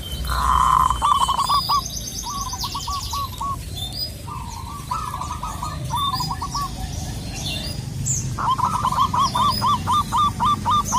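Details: Zebra dove of the local Indonesian type, calling rivals: a loud opening coo, then several short rolling runs of rapid hooked notes, ending in a strong, evenly spaced string, against faint high chirps and low rumble.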